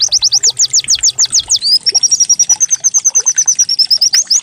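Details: White-eye song used as a decoy to get other white-eyes singing quickly, described as canary-like: a fast run of high, sharply arched whistled notes that gives way to a long, even trill of rapid tiny notes.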